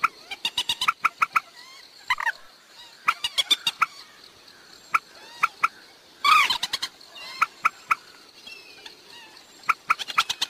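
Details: Waterhen call track for luring birds at night: sharp, clicking pulses in quick series, broken by a loud harsh squawk burst around two-thirds through, then more rapid ticks.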